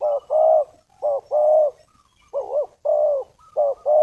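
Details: Decoy spotted dove cooing to attract wild doves: paired, hollow coo phrases, a brief lead note followed by a longer sustained one, spaced by short pauses in a quiet setting.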